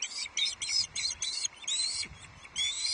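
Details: Osprey at Loch Arkaig Nest Two on 11 July 2023, calling as a second fish, a headless trout, is brought to the nest for a late lunch: rapid series of high, shrill chirping whistles in bursts, nearly continuous over three seconds.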